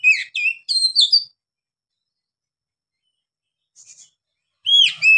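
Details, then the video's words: Oriental magpie-robin (kacer) giving brief gacor song: a quick run of clear whistled, slurred notes, a long silence with a faint chirp, then a short loud whistled phrase returns. "KACER GACOR NGEPLONG NAFAS PANJANG"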